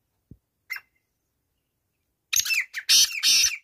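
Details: Black francolin calling: after a few soft clicks and a short faint note, a loud, harsh, grating phrase of several raspy notes bursts out near the end, closing on two drawn-out scratchy notes.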